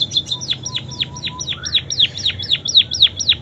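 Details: ['Munia in canary-imitation song, delivering a steady train of quick downslurred whistles, roughly four each second, bright and high-pitched throughout.']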